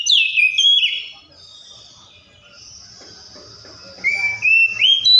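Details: Oriental magpie-robin song: clear whistled notes slurring downward around the first second, a quieter gap, then rising whistled phrases return strongly near the end.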